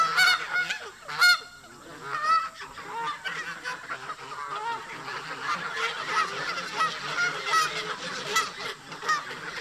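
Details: Flock of local park geese confronting migrating visitors, honking about once a second; strong loud honks early on give way to a steady, dense chatter of overlapping calls.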